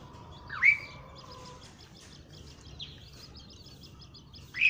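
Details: Asian pied starling, found in small groups in lowlands, towns and villages; a sharp rising whistled note, a few sweeping chirps and a final rising squeak over steady background hiss.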